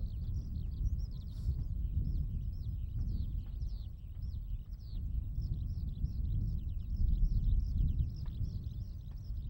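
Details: Eurasian skylark, a resident bird, singing over open farmland at Sone Shinden, Kokura Minami ward, Kitakyushu, Japan, filmed on a Sony BVP-70IS camera; a continuous, high, rapid twittering stream of chirps, over strong low rumbling wind noise.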